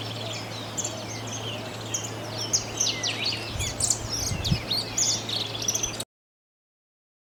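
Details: Saffron finch (Sicalis flaveola) song: quick, bright chirps and short sharp notes tumbling over one another at a lively pace, with a steady low hum underneath.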